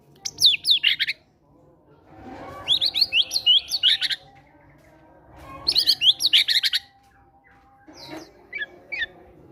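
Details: White-rumped shama lure song for coaxing quiet caged birds into singing, with gelatik batu material: three bursts of high, rapid, scratchy chattering phrases about two seconds apart, then a softer short twitter, over a faint low hum.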